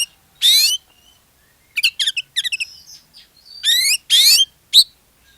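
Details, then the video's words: Oriental magpie-robin in full song, used as a lure to get other magpie-robins singing: loud harsh buzzy bursts mixed with high rising whistled notes and quick chirps, separated by short pauses. "SUARA PANCINGAN KACER GACOR, BIKIN KACER YANG LAIN IKUT GACOR"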